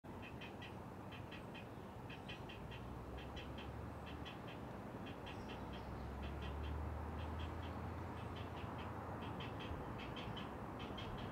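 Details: Great blue herons at a nest in a rookery of up to 50 birds on 10-12 nests, 100 feet up in loblolly pines on Maryland's Eastern Shore, Chesapeake Bay, early morning on 20 June 2018: rapid dry ticking clicks in clusters, over a steady low hum.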